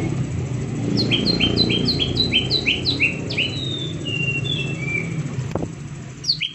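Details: A green leafbird gives rapid-fire 'tembakan' song used to lure others into singing: a run of about nine quick descending whistled notes, then long slurred falling whistles, against loud low droning noise and a click near the end.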